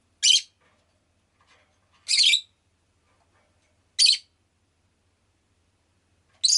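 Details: Shrill, harsh chirps from a pet rosy-faced lovebird, single loud calls repeated roughly every two seconds against near silence.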